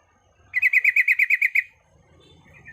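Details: Female sooty-headed bulbul in breeding condition calling males: a quick, even string of about ten clear, bouncy notes delivered in roughly one second, followed by quiet low murmuring and a faint later note.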